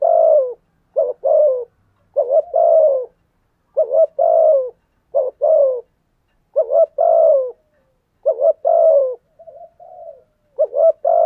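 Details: Spotted dove cooing in the thúc gù style that agitates wild doves until they answer; deep hollow two- and three-part coos with a sliding downward tail, phrases spaced a second or two apart, background quiet.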